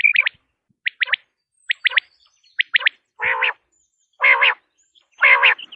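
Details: Common quail (Coturnix coturnix) in Pakistan gives sharp, high, quick two- and three-note calls about once a second, followed by three harsher, nasal, buzzy notes at the same pace.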